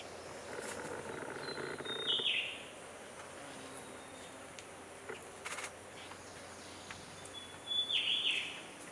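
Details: Short-tailed scimitar babbler staying relaxed as orange-headed thrushes and eyebrowed thrushes chase about; two matching calls about six seconds apart, each a high thin note dropping into a brief burst, with low steady hum and occasional clicks.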